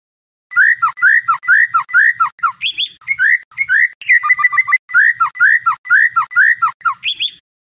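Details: White-rumped shama (murai batu) song for night training of competition songbirds: a bright whistled phrase repeated roughly twice a second, broken midway by a fast rattling trill, then resuming.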